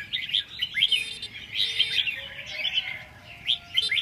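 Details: Short lively bulbul phrases, red-whiskered, made of clear whistles and rising and falling chirps. They come in quick bursts about every half second to a second. A few faint steady tones sit beneath them.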